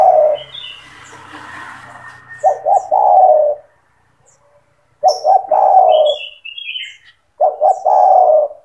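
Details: Spotted dove cooing, a recording to prompt young doves to sing: repeated phrases of quick paired notes and a long downward coo, with a faint background hum early on and high chirping from other birds.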